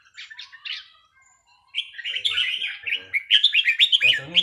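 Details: Caged red-whiskered bulbul at a practice session on a free day, first soft scattered chirps, then a loud rapid run of bubbly whistled notes, about three per second, rising and falling, with a brief human voice at the end.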